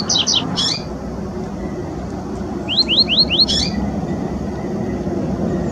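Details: Double-collared seedeaters singing in nature: clipped high notes and a buzzy burst, then a run of four quick rising whistled slurs capped by another buzzy note, over steady low rumble like distant traffic.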